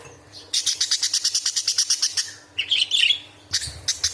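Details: Angry budgerigar, used as a tutor recording for murai batu, cucak ijo and kacer, gives a fast, harsh, buzzy chatter of about a dozen evenly spaced pulses, then a scratchy twittering burst and a few more rasping notes.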